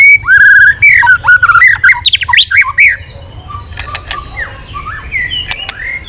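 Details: White-rumped shama in swiftlet-style, voice-changing song with continuous tail flicking: loud ringing whistles and sweeping slurred notes at first, then quieter scattered chirps and sharp clicks.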